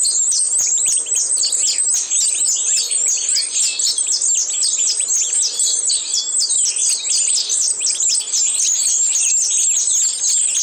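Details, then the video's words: Hybrid of European goldfinch and canary, 2012, pouring out a loud, unbroken, very high, rapid warbling trill that runs without pause for over ten seconds. "2012 European goldfinch X Canary"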